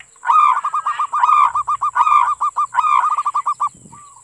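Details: Local zebra dove, a master recording meant to prompt other doves to sing: bursts of fast, rolling cooing notes repeated in four phrases, with a steady high electronic hiss throughout.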